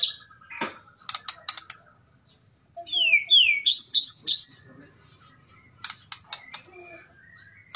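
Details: White-rumped shama of the Medan type giving a call to provoke a rival: sharp clicks, then a run of quick, descending whistled slurs in the middle, followed by more scattered dry ticks.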